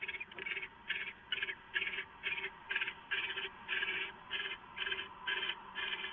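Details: Owl on a live camera at 6:04 AM on 15 March 2014, getting leftovers; harsh, raspy hissing bursts repeat about twice a second, each a short noisy rasp, steady through the recording over a faint low hum.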